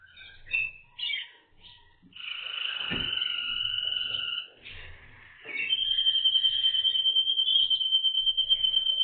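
Waterslager canary song: a few quick chirps, then long, pure whistled notes, closing with a rapid, even, bubbling roll held on one high pitch.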